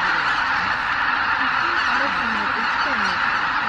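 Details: Massed calling of a huge Greater white-fronted goose flock, more than 83,000 birds, departing the roost at Miyajima-numa around dawn, 23 April 2017, in dull weather; a steady wall of goose noise with only faint separate honks.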